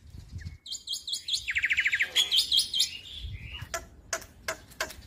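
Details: Jalak putih muda, a young black-winged starling, in lure song for birds that have gone quiet: fainter buzzy rattling trills followed by sharp separate clicks, with low background rumble.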